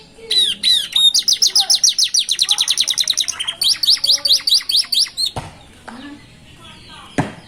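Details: Canary chicks singing beside a road with a unique rhythm, a fast rolling series of repeated falling whistled notes in two bursts, then pauses with a couple of sharp clicks.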